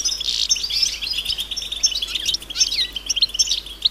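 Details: European goldfinch chirping in a natural setting, calls meant to stimulate males to sing and break their silence; busy overlapping high twittering and tinkling notes with quick rising slurs, several birds calling together in a dense chorus.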